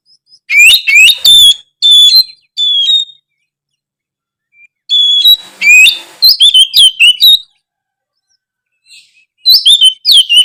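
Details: Oriental magpie-robin song, used to spur reluctant magpie-robins into singing more: bursts of loud, varied whistled and chattering phrases with sharp rising and falling notes, separated by short silent pauses.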